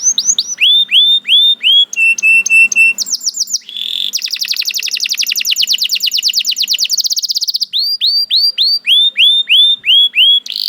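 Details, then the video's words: Canary song reacting to another canary's voice: rising whistled swoops in pairs, a flat whistled stretch, a long rapid rattle and more repeated swoops, loud and continuous throughout. "The Lazy Canary Sounds Immediately After Hearing the Sound of the Canary This One || Voice of Canary"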